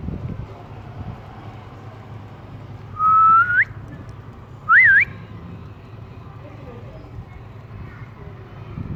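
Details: Ring-necked parakeet kept as a talking pet, enjoying cool weather, whistles twice: a level tone ending in a sharp upward flick, then a quick up-down-up twist, over steady low rumble.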